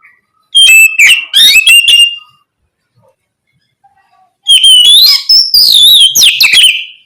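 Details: An oriental magpie-robin sings loudly, played to stimulate other magpie-robins to sing; a short burst of whistled and buzzy notes, nearly two seconds of quiet, then a longer phrase of rising whistles and sharp clicks.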